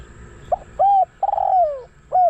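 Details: Spotted dove kept as a decoy to lure wild doves, calling in the kharom style: a short clipped note, then a steady mellow coo, a longer coo that slides downward, and another coo starting. Faint low background hum.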